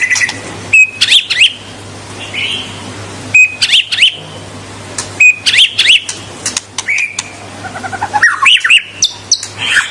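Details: Shama, known locally as murai batu, singing to challenge rivals: short bursts of sharp upward whistles and clicks delivered every two seconds or so, separated by brief pauses, with a steady faint hum.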